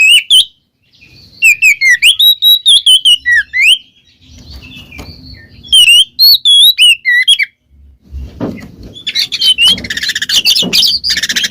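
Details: Oriental magpie-robin ngeplong song, aimed at getting a silent bird to sing: clear, sweet whistled notes repeated in a bouncing series, then a pause and a burst of harsh, scratchy chatter.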